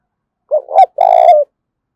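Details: Wild-caught spotted dove in fierce contest calling, 'thổ pha đồng' voice style: a single loud coo, a short double-noted opening then a long, slightly rough, level note falling at its end, bright overtones above.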